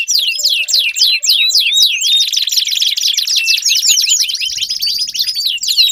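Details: Canary song used to stimulate silent canaries into singing: a fast, continuous stream of high, sweeping chirps and rolling trills, with quick rising and falling whistled notes running throughout without pause.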